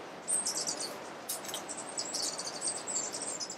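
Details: A Western Emerald (Chlorostilbon m. melanorhynchus) in Alambi Cloud Forest Reserve, Ecuador, May 2012, gives very high, thin twittering chips in quick bursts over steady background hiss.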